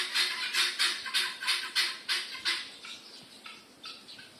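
A black crowned crane gives a fast series of harsh, squawking bursts, about three per second, that grow fainter toward the end.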